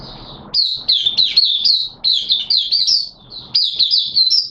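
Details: Caged oriental white-eye kept by a bird hobbyist, starting to sing in wet weather: rapid, high, sweet warbled phrases, each a quick run of twittering notes, coming in bursts with short pauses between them.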